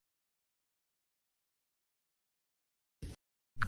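Three seconds of near silence, then two short dull thumps close together at the end.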